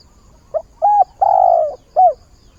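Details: Decoy spotted dove calling at the start of the day to find a mate, its voice used to draw in wild doves; a short coo, a longer one, a drawn-out smooth coo, then a final short coo, low and mellow over quiet background.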